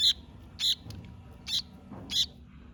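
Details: A young, hand-fed Sooty-headed Bulbul, weak after a late feeding but recovering, gives four short, high chirps about every half second, begging for food; a quiet low hum runs underneath.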